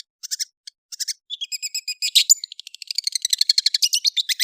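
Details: Long-tailed shrike in rapid chattering song: scattered scratchy clicks build into a fast, dense series of bright, stuttering notes, several per second, with a louder harsh burst midway and no other sounds.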